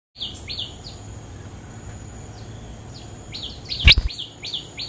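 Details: Bulbul song in response to a territory owner jumping in: short downslurred whistled notes repeated in quick bursts, with a sharp click near the end and a faint high steady whine.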